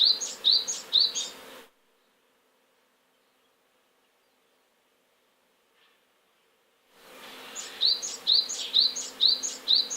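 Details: Great tit singing near its nest box, apparently trying to drive sparrows out of its territory: bright, high two-note phrases repeated about twice a second, pausing several seconds before resuming, over a soft background hum.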